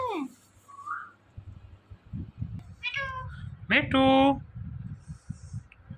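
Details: A talking Indian ringneck parakeet gives a few scratchy, rising and falling vocal notes, then a loud, buzzy, sustained harmonic call near the end. Low rumbling handling noise runs underneath in a small indoor room.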